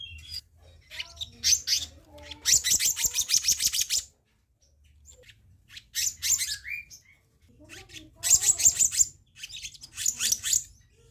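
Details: Black-naped monarch recording used for training and luring birds: rapid bursts of harsh, buzzy high chatter in quick series, broken by a pause, with a few short whistled notes between.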